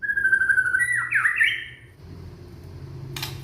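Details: Young white-rumped shama from Indonesia, sung to prompt other shamas to sing: a single phrase of flat whistled notes rising into quick, jumping clusters, then quiet with a brief click.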